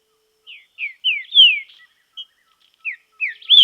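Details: Clear whistled song of a green-winged saltator training in nature: a series of rich descending slurs, a loud drawn-out one early, then more falling notes building to a strong final whistle.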